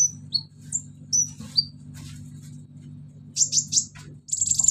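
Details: Thin, high whistled slurs from a Van Hasselt's sunbird, alternating up and down, then dense buzzy chattering bursts toward the end; its song carries mimicked crickets, golden grasshopper, chicks and cililin, over a constant low hum.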